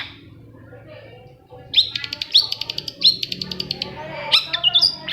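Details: A long-tailed shrike gives prompting song for quiet birds: after a soft start, rapid clicking rattles mixed with sharp high chirps and quick whistled slurs.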